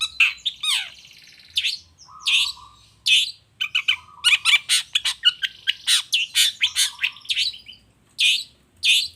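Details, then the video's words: Lure recording of a long-tailed shrike meant to set other shrikes singing: bursts of rasping, scratchy notes alternate with short level whistles and rapid chips in uneven clusters, with brief pauses between phrases. "Suara Cendet Gacor Toet toet"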